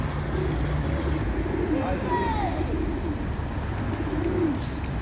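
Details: A group of pigeons cooing: low, soft, rolling coos repeated through the clip, with a brief clear whistle from another bird, some speech and steady traffic rumble in the background.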